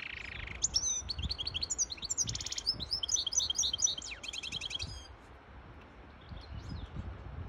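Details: A European goldfinch hybrid sings a fast, high twittering song of liquid chirps and tinkling notes with buzzy rattles mixed in, over a low background rumble; the song is meant to tutor chicks and to excite a female goldfinch into mating posture.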